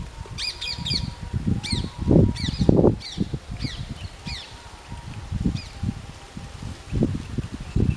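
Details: Parrots calling while eating paddy grains: series of sharp, harmonic chirps and squawks in short bursts, loudest in the first three seconds and around five and a half seconds, over steady low rustling and handling noise.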